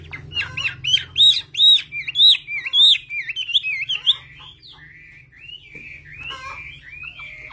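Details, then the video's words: Mountain-bred Chinese hwamei from the Central Highlands, Vietnam, pours out a fast series of strong, ringing whistles with wavering up-and-down slurs, then continues more quietly with lower warbled phrases and occasional clicks. "hoạ mi dong đơn sơn cước núi rừng Tây Nguyên"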